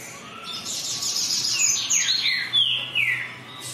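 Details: Green-winged saltator singing a dense, jumbled phrase of high warbled notes that settles into a few clear, downward-sliding whistles.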